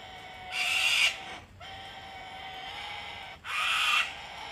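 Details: Wild cockatoos visiting an Australian home deck for hand-feeding on a cold, wet winter day; two harsh, hissing screeches about half a second long, separated by nearly three seconds of low steady hum.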